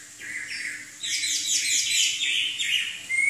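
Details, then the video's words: Chinese hwamei, a songbird from southern China, giving a rapid series of bright, buzzy chirped notes that quicken into a dense rolling phrase, ending with a sharp rising whistle. "Kicau Burung Hwamei Wambi Gacor"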